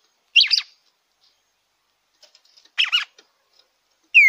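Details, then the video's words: Red-cowled cardinal singing, played to warm up a captive bird: two compact warbled phrases over two seconds apart, with a clear downslurred whistle starting at the end. "ESQUENTE SEU GALO DE CAMPINA."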